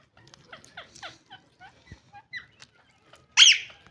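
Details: A family of pet green ringneck parakeets dancing. A string of soft, quick chattering notes for three seconds, then one sudden loud, harsh screech near the end.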